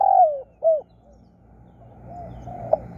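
Spotted dove giving two soft, low, falling coos in quick succession, then fainter coos over a quiet rural background.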